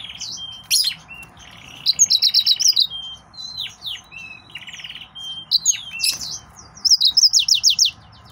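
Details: Excited male yellow-fronted canary pouring out rapid high chirps, buzzy rattles and twisting whistles in dense, varied phrases, ending with a fast series of repeated bright notes.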